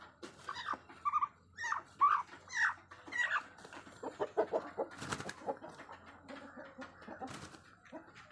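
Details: An adult white single-comb rooster crows in a hoarse, drawn-out series of syllables over about three seconds, followed by softer rapid clucking and scattered knocks.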